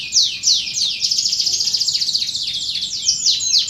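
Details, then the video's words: Canary song used as lure and training audio for contest birds and young birds: rapid high trills and repeated downward-sweeping whistled notes, several per second, with a sustained buzzy roll through the middle. "SUARA BURUNG KENARI | PANCINGAN DAN MASTERAN BURUNG KENARI KONTES DAN BAKALAN"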